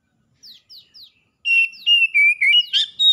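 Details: Oriental magpie-robin in vigorous song, a wild and a domestic bird responding to each other: three quick descending thin notes, then a burst of loud ringing whistles, level and slightly wavering, ending in a buzzy flourish.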